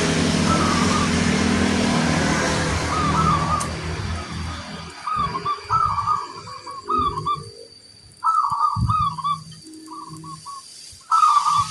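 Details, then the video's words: Local zebra dove singing actively with a big 'kung' voice, used as a training recording: bubbly cooing phrases with a rolling trill, repeated several times, after about four seconds of loud broadband noise that masks the start. "Perkutut lokal gacor, gayer suara kung besar"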